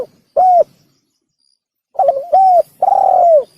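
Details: Lure call of a spotted dove: one short coo, a pause, then a wavering opening note, a short coo and a long descending coo, close and clean.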